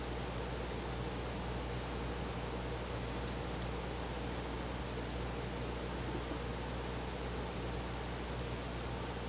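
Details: Only constant broadband hiss over a low mechanical hum is heard at night, with no calls.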